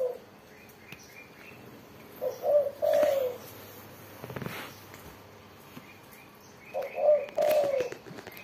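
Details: Spotted dove (tekukur) cooing: two low phrases, each a short soft note then a stretched, slightly falling coo, separated by a pause with a brief rustle or thump between.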